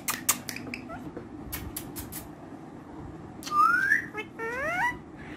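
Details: Tame ringneck parrot indoors: scattered clicks, then one loud rising whistle, followed by a couple of shorter upward-sliding whistled notes.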